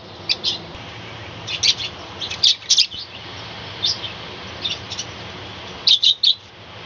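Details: Budgerigars in a small balcony colony, chattering at dawn: clustered bursts of sharp high chirps in groups of two or three, separated by short quiet gaps.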